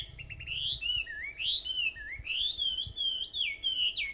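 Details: On Aobayama in Sendai at 4:30 in the morning, 21 July 2014, a bird pours out continuous warbling whistles that climb and dip in pitch, with a few brief chirps at the start.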